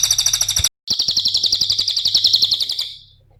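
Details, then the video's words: Cililin singing as a lure for cage birds: a quick high trill, a brief gap, then a long run of rapid, sharp, ticking high notes that slowly fades out. "Mp3 suara Cililin RAPAT GACORNYA,pancingan cililin"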